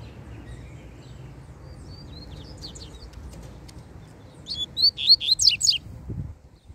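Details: Free-flying double-collared seedeater singing while trying to reach a caged rival: after a quiet spell with faint distant chirps, a rapid burst of high, sharp, buzzy notes lasting just over a second, over a low background rumble.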